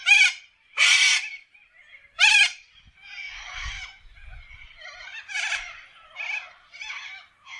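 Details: Wild corellas calling in Australian forest: loud, harsh, grating screeches at irregular intervals, with softer chattering from other birds of the flock between the shrieks.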